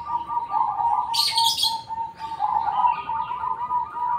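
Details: Black cemani zebra dove in full, unusual-toned song: rapid rolling coos run almost without a break, with a short loud hissing rustle about a quarter of the way in and faint higher chirps behind.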